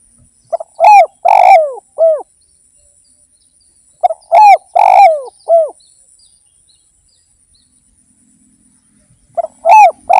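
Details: Lure recording of a spotted dove in full song: short cooing phrases of a couple of quick pips, two long sliding coos and a final coo, repeated about every four seconds with silence between.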